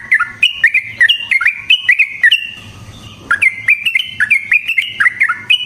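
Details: . Yellow-vented bulbul in long, busy rapid-fire song styled 'gacor ropel panjang', used as a lure for trapping. Bright chattering notes jump and slur between mid and high pitch in quick bursts, with a short lull after two seconds before the song resumes.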